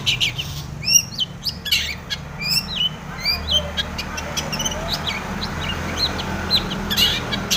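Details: Long-tailed shrike in lively song with mimicked tomiceng phrases, used as bait to spur other shrikes. Upslurred whistles and rapid chips at the start, then softer scattered high ticks.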